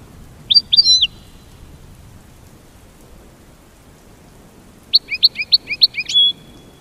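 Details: American goldfinch giving a mating call: a short twittered burst near the start, then a longer run of quick high chips ending in a brief drawn-out whistle, over quiet background hiss.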